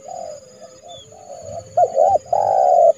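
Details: Trained decoy spotted dove in January calling a rival bird into the yard to trap it; soft distant coos give way to a loud hooked double note and a long, steady, hollow coo.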